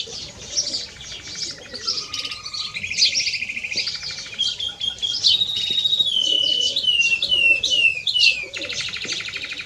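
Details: Mixto de jilguero, a canary x goldfinch cross, mixing high twitters with sustained whistled tones and rolling trills that step down in pitch, then a closing burst of chatter.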